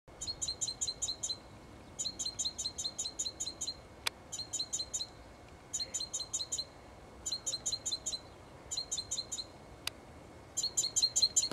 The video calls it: Great Tit male calling